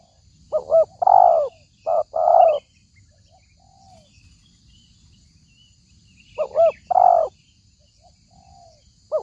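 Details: Trapping lure of a spotted dove: two coo phrases, each of short twin hoots and a longer mellow note, then a long pause before the phrase repeats. Faint scattered bird chirps are heard.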